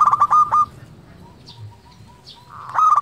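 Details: Lure song of a local zebra dove meant to make lazy doves sing: a loud rolling burst of rapid coarse notes, a pause with faint soft coos, then another loud rolling burst.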